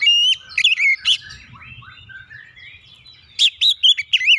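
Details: Oriental magpie-robin singing to provoke other birds into song: loud, varied whistled phrases rising and falling, a quieter twittering stretch in the middle, then a burst of sharp, clear notes near the end.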